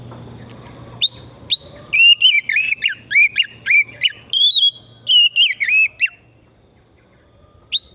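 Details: Oriental magpie-robin from pure forest, singing actively, used as a lure to stimulate singing: a rich run of clear whistled notes, each sharply rising or falling, delivered rapidly in a varied phrase over a faint low hum, then a lone whistle.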